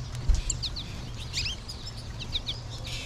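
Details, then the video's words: Calling American goldfinches in a March flock; short, sweet upslurred and downslurred chirps scattered through, one soft thump near the start, low hum underneath. "American Goldfinch flock"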